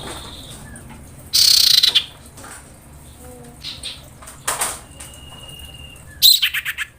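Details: Female common iora in breeding condition calling males. Harsh, buzzy rattling bursts come three times, each well under a second, with a thin level whistle and soft chirps between them.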